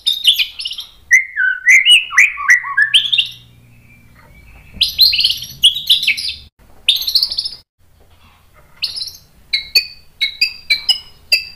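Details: Caged-style White-rumped shama song in bursts: rich descending whistled phrases, then rapid chattering, buzzy high notes, and a closing series of short sharp repeated chips, with brief quiet gaps and low background hum.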